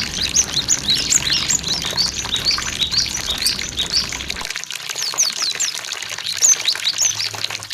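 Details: Cinereous tits chirp and whistle in dense, overlapping high phrases, several birds at once. Flowing water, played to prompt singing, murmurs beneath the first half, then cuts off abruptly.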